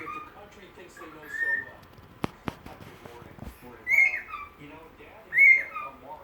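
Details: Tired pet bird wanting a nap, whistling the Andy Griffith Show theme tune indoors: clear, rising-then-falling whistled phrases spaced a second or more apart, with a few sharp clicks and soft rustling between them.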